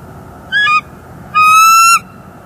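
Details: Nest-building bald eagle pair in northeast Florida at dawn, December 2020: a brief stuttering double squeal, then a long steady piercing whistle rich in overtones.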